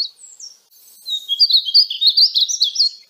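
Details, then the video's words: Song of the painted bunting (Passerina ciris): after a few faint notes, one lively high phrase of rapid, tumbling, sweet chirps that rises and falls in pitch. "Conheça o belo canto do pássaro estamenha pintada (Passerina ciris)"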